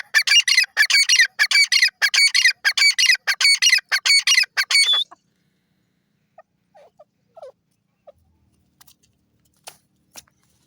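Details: Desi teetar (francolin) from Pakistan giving a loud, harsh, rapidly repeated series of strident notes, about 95 per minute, for five seconds, then near silence with a few faint scattered clicks and chirps.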